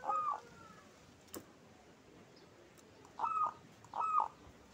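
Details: Local zebra dove calling: one cooing note, then a long pause broken by a sharp click, then two more bright, falling coos close together near the end, over quiet background hiss.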